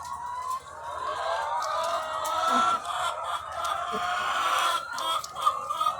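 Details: Chorus of thousands of laying hens on a chicken farm: layered, nasal drawn-out calls and scattered clucks overlapping continuously, loudness swelling and dipping over six seconds.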